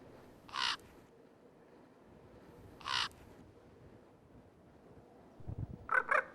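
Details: Incubating female Common Raven at her nest in the Lamar River Valley, Yellowstone National Park, giving alarm calls as another male approaches: harsh, hoarse caws spaced about two seconds apart, then a quick double croak over low background rumble.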